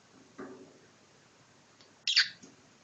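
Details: Pet cockatiel squabbling with its owner: a soft, brief rasp, a pause, then one loud harsh screeching squawk that quickly trails off, heard in a quiet room.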